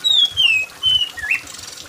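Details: Loud, piercing song of an oriental magpie-robin: a long descending whistle, a short flat note and a sharp rising note, with light rain pattering in the background; meant to stimulate other magpie-robins into singing.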